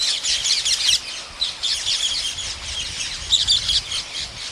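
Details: Close chorus of wild parrots feeding at a farmer's site in India, loud piercing screeches in surging bursts, several pulses of intense squawking separated by brief lulls.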